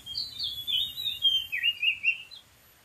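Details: From a dead tree in the wild, an Oriental magpie-robin sings a fluent run of about ten clear, warbled whistles, dipping and rising, ending abruptly after two and a half seconds against faint insect noise.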